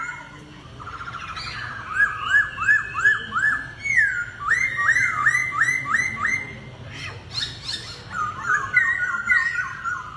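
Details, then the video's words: Laughingthrush duel song: loud repeated whistled notes in rapid runs of five or six, each sweeping upward, broken by sharp high clicks, then a final series of lower falling whistles. "Khướu Hót Đấu Đá Giọng – Giao Chiến Căng Thẳng Từng Nốt"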